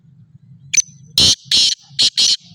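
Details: Black francolin, Sindhi type, calling loudly over a low hum: a thin high note, then four raspy, grating bursts, the first pair longer and the last pair closer together.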